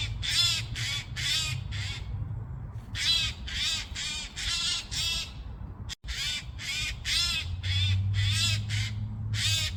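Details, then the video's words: A Eurasian jay (Garrulus glandarius) making a racket: harsh, rasping screeches in quick runs of about two per second, with short pauses between runs, over a low background rumble. "Kėkštas (Garrulus glandarius) triukšmauja"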